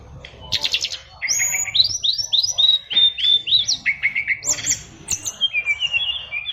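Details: Oriental magpie-robin, caged fighter bird, sings a lively 'isian luber' song: a run of upward-slurred whistles repeated several times per second, then descending chirps and high squeaks, with music playing faintly.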